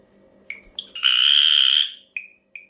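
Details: Ashy drongo with an unusual call: two short chips, then a long harsh buzzing note lasting about a second, followed by two more clipped chips.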